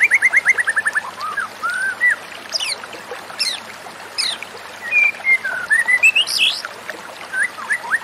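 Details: Varied white-rumped shama song used as therapy for a stressed, silent shama: opens with a quick descending run of whistled notes, followed by rich swooping whistles, higher sharp chips and upward-slurred phrases against a faint hiss.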